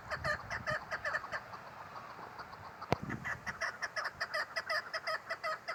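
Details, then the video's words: Calling female chukar partridge gives a repeated series of hoarse, clucking chuk notes, roughly two to three per second, with a single sharp click near the middle. "Female chakor sound keklik sesi"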